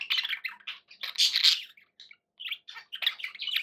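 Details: Pet budgerigars produce a short run of buzzy warbling chatter, a loud harsh burst in the middle, then scattered chirps after a short gap.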